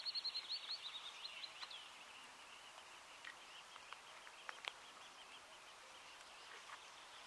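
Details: Eurasian teal of the nominate subspecies, Anas crecca crecca, in Lahemaa National Park, Estonia, in June 2017: a quick series of short high whistled notes at the start, then sparse fainter clicks and chirps over a steady hiss.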